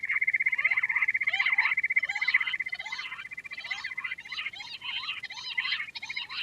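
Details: Quail sound with a steady, rapid trill running throughout, overlaid by repeated harsh, scratchy chattering bursts that sweep up and down.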